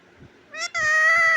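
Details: A pet talking parrot, said to repeat "Radhe Radhe" and "mittu", gives a short voiced syllable and then a longer, steady, nasal word-like sound with rich harmonics in a quiet room.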